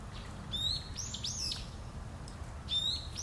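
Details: Long-eared owls, a parent with young, on Tsushima island, giving hoarse, curved screeches that rise and then fall, several packed together early on and two more near the end, with a low constant rumble behind them.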